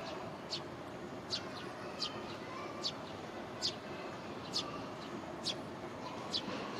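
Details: A juvenile Eurasian tree sparrow gives sharp, high chirps about once a second, begging for food as it follows a foraging parent by a roadside in Japan, sunny afternoon around 16:50, early July 2022, over a steady rushing hum like distant traffic.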